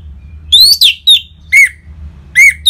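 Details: Orange-headed thrush song played to stimulate caged birds to sing: loud whistled phrases with sliding and falling notes, a few separated by pauses, over a faint low hum.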